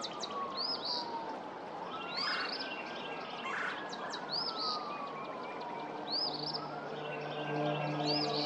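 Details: Early-season Eastern phoebe at Pawnee Prairie Park on February 23, 2024, giving short high arched phrases at intervals of one to two seconds, with a low drawn-out background tone and steady outdoor noise.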